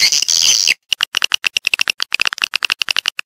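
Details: Swiftlet calls used to attract swiftlets into a bird house: a brief raspy burst, then rapid sharp clicking chips, several per second, in quick irregular series.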